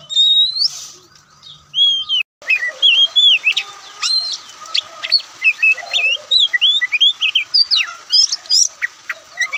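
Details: White-breasted Oriental magpie-robin, called Kacer Poci or Kucica Kampung, in relaxed song: a few high whistles, then a lively, varied stream of loud slurred whistles and sharp chirps, tumbling in quick succession with no other sounds.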